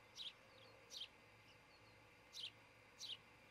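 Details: Osprey at a nest site in Charlo, Montana, nest-camera recording from early morning on 26 June 2018; four high, piercing cheeps delivered in two spaced pairs, with soft hum in the background.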